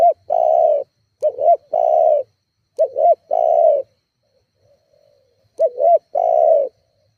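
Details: Spotted dove call used as a lure to rile rival doves: three phrases, each a quick two-part hooked note followed by a long, even coo. A brief pause, then the pattern restarts.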